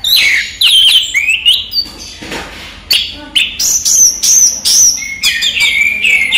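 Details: Captive orange-headed thrush singing in daytime. Loud descending whistles open the clip, then after a short pause comes a run of clipped, varied high notes and slurred whistles.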